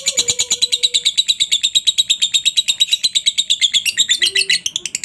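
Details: Training-song recording of a lovebird in ngekek style: steady, rapid chattering of shrill chirps about three per second, with a faint low whistle near the start and another toward the end.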